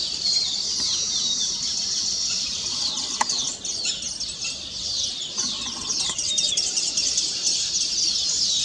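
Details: Colony of weaver birds singing on completed nests, celebrating the finished work; constant high-pitched chattering and squeaky trills from many birds at once, with one sharp click partway through.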